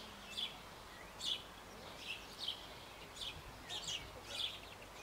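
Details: Sparrows at their birdhouse on an old apple tree in Bavaria, parents feeding nestlings shortly before fledging; quiet sharp chirps repeated about once or twice a second against a faint hiss.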